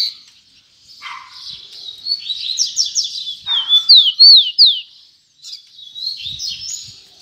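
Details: Double-collared seedeater singing high rapid phrases, buzzy trills and a series of sharp down-slurred whistles, with a faint lower note between.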